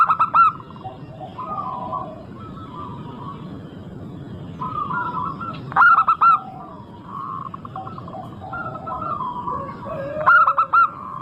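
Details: Zebra dove of local stock singing hard, meant to prompt other doves to sing: loud four-note cooing phrases open, recur mid-way and close, separated by softer overlapping coos of other doves above a low hum.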